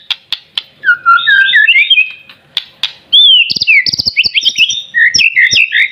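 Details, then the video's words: Young white-rumped shama in vigorous song despite juvenile plumage: scattered clicks, then mellow slurred whistles that build into a dense, rapid stream of high, looping, varied phrases. "BURUNG MURAI BATU MASIH DOKOR TAPI UDAH GACOR"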